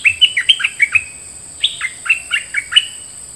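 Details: A decoy bulbul, one of three kept as callers, sings a steady series of short, clear, down-slurred whistles, roughly three per second, with a slight pause midway and a constant high tone behind.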